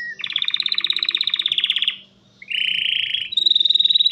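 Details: Male canary ready for breeding, calling a female: a dense, buzzy, rattling roll, a brief pause, then a smoother rapid trill and a thin, high, fast roll.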